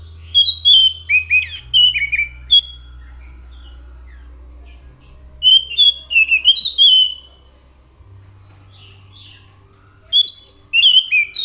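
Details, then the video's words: Orange-headed thrush singing in three bursts of fast, varied whistles and slurred notes, rising and dropping in pitch, with pauses between and a low mechanical hum throughout. "SUARA ASLI ANIS MACAN GACOR"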